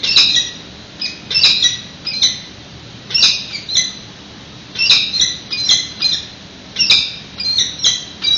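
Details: Peregrine falcon pair at a San Francisco nest, 25 March 2018, webcam recording around a food delivery before hatching: grating squawks in short clusters, rough and repeated every second or so, with faint background hiss.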